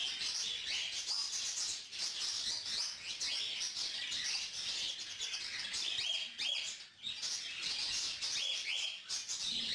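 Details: Yellow lutino cockatiel hen, recently weaned from hand-feeding, asks an adult male for food as he feeds and tends her; continuous scratchy chattering with thin whistled notes, dipping into short gaps around the middle.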